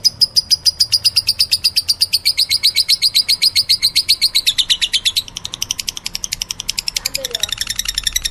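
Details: Lovebird, described as meloloh, delivering a fast stuttering chatter of high chirps, about four per second, that dips slightly in pitch midway and then quickens into a dense shrill run.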